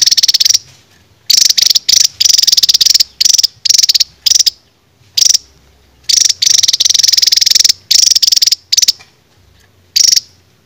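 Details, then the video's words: Cage songbird training song in the rapid-fire style known as raja tembak: loud, dry, buzzy trills of fast repeated notes in bursts of roughly half a second to a second, with short silent gaps between them. "BURUNG JADUL RAJA TEMBAK MASTERAN"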